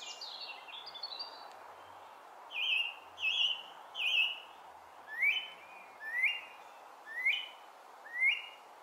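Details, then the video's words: Song thrush singing at Brighton in June 2020: a fluty opening phrase, then clear whistled notes repeated about once a second, first three flat notes, then several rising upslurs, over steady broadband background hiss. "Song Thrush (Turdus philomelos) - Brighton, June 2020"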